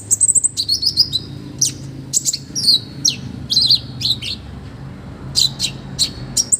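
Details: Olive-backed sunbird in full lively song with rich filler phrases, used to train other birds: a fast high twittering trill, then varied piercing chirps and whistled slurs in an uneven sequence.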